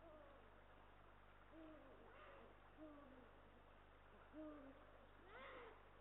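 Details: Eurasian eagle-owl pair, male and female, at their nest in Estonia on 18 March 2022, caught by a live nest camera: several soft, arched, harmonic calls arrive at irregular intervals over a steady low hum.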